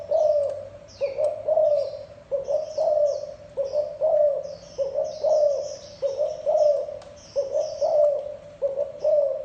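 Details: Steady cooing of a spotted dove: soft low coos grouped in pairs and triplets, repeating about once a second, while small birds twitter faintly above.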